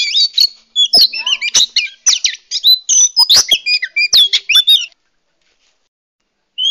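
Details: Female Oriental magpie-robin calling males, used to lure wild birds: about five seconds of fast, varied chatter with harsh squawks, quick whistles and rasping notes, then silence before one last whistle.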